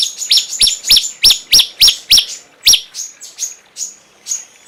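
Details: Cungkok song for tutoring songbirds: a series of sharp, slurred high notes about three per second, fading into softer, thin whistled notes toward the end.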